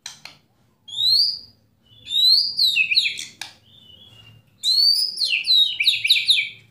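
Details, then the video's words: White-rumped shama singing tembakan and kretekan to rouse another shama into song. Rich, high whistled sweeps slide down into buzzy trills, coming in three loud phrases with quiet gaps. "Kretekan Dan Tembakan Murai Batu Memancing Emosi Murai Langsung Gacor"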